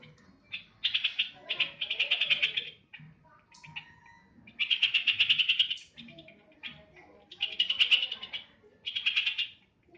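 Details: Sooty-headed bulbul (trucukan) singing in bright, chattering bursts of one to two seconds, separated by short quiet gaps, with a faint lower tone between phrases.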